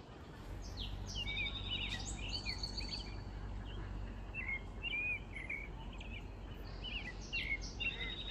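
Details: Several American coots begging for food at a wetland: a dense run of high, piping chirps and brief whistled squeaks, overlapping and repeated throughout, with a low steady rumble underneath.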